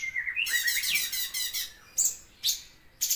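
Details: Loud song of a bulbul (cucak cungkok): a warbling whistled run that turns into a buzzy, rasping phrase, followed by three sharp, separate high chirps.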